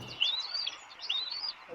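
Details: A wild bald eaglet on its nest at Quechee, Vermont, hatched April 24 and fed by both parents, gives two thin, high squeaks about a second apart, each sliding up then dropping, over faint outdoor noise.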